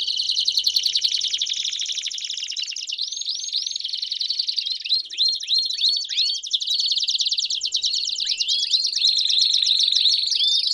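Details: Group of Belgian canaries singing together: a buzzy rapid trill, then a passage of swooping downslurred whistles, then another long fast rolling tour, sustained without pause throughout.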